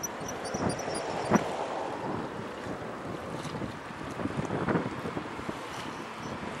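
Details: Gusting wind buffets the microphone over the steady wash of sea waves; no animal voice.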